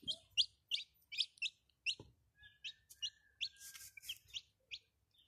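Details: Domestic chicken chicks utter high thin peeps in uneven series, short descending notes with brief gaps, alongside a soft rustle and a faint steady tone.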